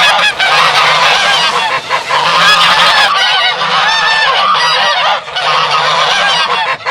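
A flock of geese honking loudly and continuously, harsh overlapping calls with brief gaps, filling the whole stretch.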